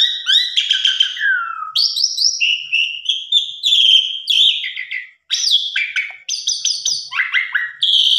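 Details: Asian pied starling song, played to provoke birds into singing their whole repertoire. It is a loud, constantly changing medley of bright whistles, descending slurs and harsh buzzy notes, with brief pauses between phrases.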